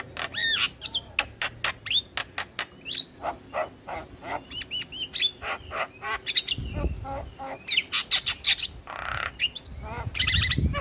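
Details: Javan myna song used as a lure to make silent or stressed mynas sing: a rapid, varied run of sharp clicks, rising and falling whistles and harsh chattering notes, with faint low rumbling underneath.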